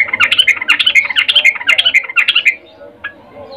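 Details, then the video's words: A female sooty-headed bulbul calls to a male in breeding condition: a continuous, busy run of bright, bubbling and warbled notes for about two and a half seconds, then near silence. "Trucuk BETINA memanggil Jantan Suara Birahi Ngecuplik"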